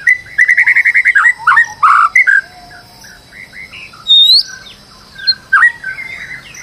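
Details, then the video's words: White-rumped shama song used as a stressed-bird lure to make another bird sing: rapid run of repeated chirps, then varied whistled phrases and a loud rising whistle, with pauses between bursts. "PANCINGAN MURAI BATU STRES AGAR GACOR"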